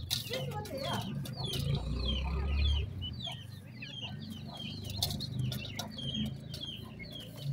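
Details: Two black francolin chicks, known locally as Sindhi partridge, give rapid high, thin peeps with downward-curving notes, several each second, over a steady low rumble and occasional clatter.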